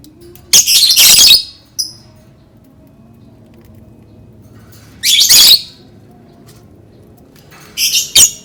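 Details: Lovebird sound played to get other lovebirds singing: three widely spaced bursts of harsh, shrill chattering squawks, several seconds apart, with quiet in between.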